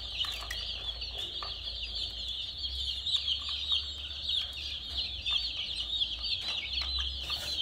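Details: Colourful chicks keep up loud, shrill peeping, many birds calling at once in a dense high chatter over a low rumbling background.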